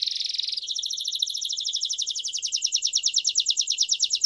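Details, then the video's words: Timbrado canary song meant for teaching young birds: a brief smooth high roll, then a long, regular bubbling trill of doubled notes that grows slightly louder toward the end. "التغريد الأقوى للكناري لتعليم الفراخ THE BEST CANARY SINGING"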